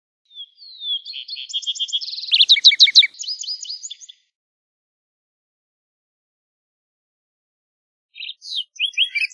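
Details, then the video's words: A Lark Sparrow (Chondestes grammacus) sings a long, varied phrase of clear notes, buzzy trills and rapid chips lasting about four seconds, then starts another phrase after a pause. "Lark Sparrow Singing! Lark Sparrow Calling!"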